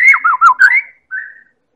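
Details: White-rumped shama from Medan, lure song to encourage other birds to sing: brief loud phrase of looping whistles dropping and rising, then a pause and one flat whistle.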